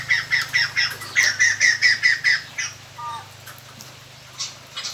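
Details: White-crested laughingthrush decoy calls meant to attract wild birds: about ten quick harsh chatter notes in an even run, then a brief low whistle and scattered fainter notes over a low hum.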